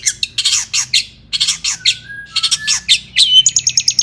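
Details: Long-tailed shrike singing agitatedly to provoke rival shrikes; grating harsh bursts, a couple of low steady whistles, then a fast run of evenly spaced high ticking notes at the end.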